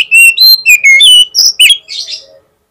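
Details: Oriental magpie-robin singing a lure song to make a rival respond fast: loud, sweet, high whistled notes in quick succession, some rising, some falling, ending in a scratchy, buzzy flourish.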